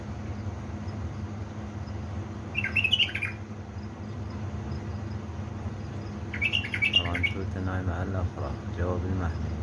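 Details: Bulbul kept as a pet, from Diyala's Baladruz, singing at 3 am on 19 August 2020: two short rippling phrases several seconds apart, followed by a soft human voice, steady background hum.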